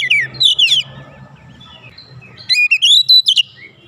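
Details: An emotional Oriental magpie-robin delivers its fill repertoire. A short burst of sweet, warbled notes opens, then a long hushed pause over low rumble, then a second rising run of clipped whistles.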